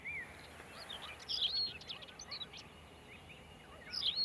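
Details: Tawny pipit (Anthus campestris) call: brief, high, sparrow-like chirps in scattered clusters over a steady background hiss.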